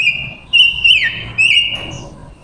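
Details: Decoy female silver-eared mesia singing to attract wild males: three bright whistled phrases with bending, warbled notes, clear against a quiet background.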